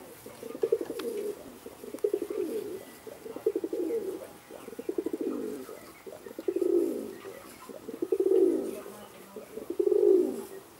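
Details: Indian Fantail fancy pigeons, domestic rock pigeon breed, kept in Alkmaar, Holland; low rolling coos swelling and fading in bursts roughly every one and a half seconds, with soft fluttering and shuffling between them in a small indoor space.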